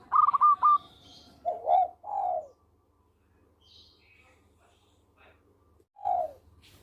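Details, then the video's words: Local zebra dove singing for use as a lure: a rapid burst of clipped notes, then two pairs of falling coos, and a final coo after a long pause, with faint distant chirping. "Perkutut Lokal Gacor Suara Merdu Cocok Buat Pikat"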